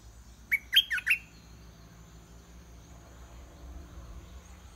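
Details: Caged decoy red-whiskered bulbul singing to lure a wild bird down to fight: one quick phrase of four bubbly, whistled notes, rising and falling, then quiet with a low rural background hum.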